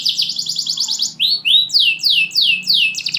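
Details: Champion canary singing in its cage as a lure and tutor for reluctant singers; a quick high trill gives way to loud, drawn-out downslurred whistles repeated about three times a second.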